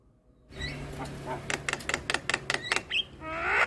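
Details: Javan myna in full 'isian' song, played as a tutor recording to stir quiet mynas into singing: after a soft start, a rapid run of harsh rasping clicks about three per second, then a rising whistled note and a loud buzzy burst.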